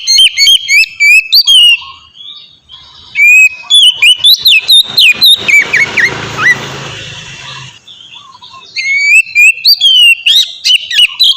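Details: Oriental magpie-robin lure song: quick whistled phrases, a middle stretch where a rushing hiss covers the notes, a quieter pause, then rapid bright whistles return.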